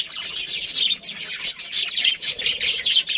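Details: Budgerigars in a colony with a breeding pair, giving loud, fast high chirps in rhythmic pulsing bursts, several birds overlapping.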